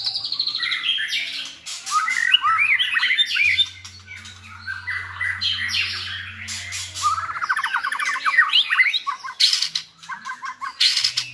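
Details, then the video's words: White-rumped shamas chosen for fine voices sing to tutor another shama: loud, complex song of descending whistles, rapid trilled runs and harsh squawky notes, with clattering noise bursts and a low hum in places. "NÀI CHÒE LỬA | Đào tạo THANH cho lửa chuyền"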